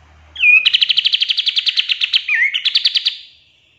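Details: Pied triller in a lively tembakan-style song used for training songbirds. A slurred whistled note opens a fast, even trill of sharp pulses. A second slurred note follows, then the trill resumes before fading out. The background is clean.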